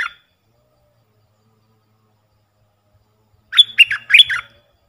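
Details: A puff-throated bulbul training call for young birds: a clipped note at the start, three seconds of quiet, then a fast burst of loud, bubbling, up-and-down chirps with a faint low hum beneath.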